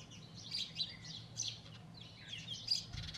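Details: Nesting sparrows, one male with two females, giving scattered bright chirps and short twittering bursts, spaced unevenly, over a faint low rumble.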